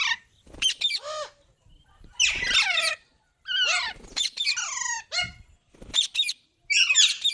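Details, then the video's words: Green parrot making loud, raspy, downward-sweeping screeches and chattering notes in separate bursts, some harsh and broadband, with short silent gaps between them. "Green Parrot Talking Natural Sounds|Tote Ki Awaaz"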